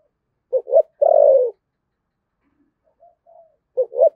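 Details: Thổ sấm-style spotted dove, Đồng Nai, Vietnam: one full phrase of two quick notes and an extended falling coo, some soft faint notes, then the opening pair of the next phrase.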